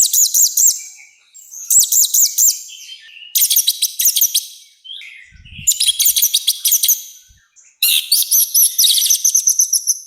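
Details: Orange-headed thrush delivering a loud, rough-voiced song meant for training and provoking birds. Five fast bursts of rapidly repeated, high looping notes, each a second or two long, follow one another with short gaps.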